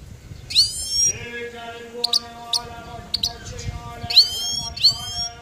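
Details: Goldfinch giving sharp, upward-sweeping high notes and brief clicky chirps, spaced irregularly, against a sustained harmonic hum in the background.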